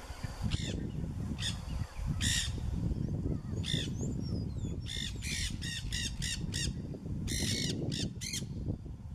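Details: Wild macaws in Brazil (Pantanal, Amazon) give harsh, raucous squawks, first spaced out, then in quick bursts of several in a row, over a steady low rumble of wind.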